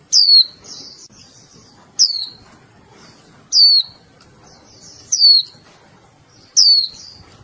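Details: Female Japanese white-eye, a pet cage bird, calling persistently to stir the male: five loud, high, downward-sweeping chirps spaced one to two seconds apart, each followed by softer buzzy trills.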